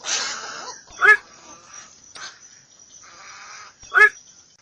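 A night heron gives two harsh, hoarse 'kwok' croaks about three seconds apart, with a brief rushing noise at the start and faint background hiss.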